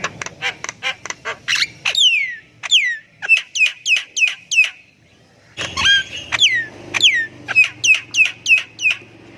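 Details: Javan myna in full, constant song, used as a lure to make silent mynas sing: fast runs of sharp clicks, then loud whistles sliding steeply downward, repeated in bursts with a short pause midway.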